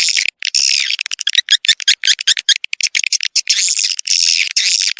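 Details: Swiftlet lure sound for a new nesting building: long buzzy twitters alternating with quick runs of clipped high chirps and clicks, very high-pitched throughout.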